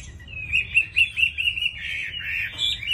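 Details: A captive Chinese hwamei, described as a quick, fine singer, sings a quick run of bright, clear whistled notes, about four a second, then slides into a richer warbling phrase over a faint low hum.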